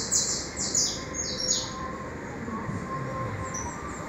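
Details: High, sharp falling peeps from freshly hatched saffron finch chicks in their nest, three or four in the first moments, then only faint hiss.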